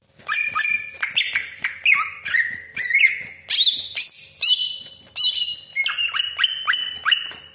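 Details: Greater green leafbird singing sharp 'tembakan' phrases: a series of short whistled motifs about every half second, each ending in upswept slurs, with a higher bright passage midway, used to excite other leafbirds.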